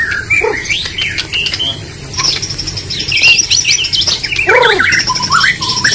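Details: Contest white-rumped shama singing varied phrases: rising and falling whistles, a run of high chattering trills, and low curved notes, all over constant background noise.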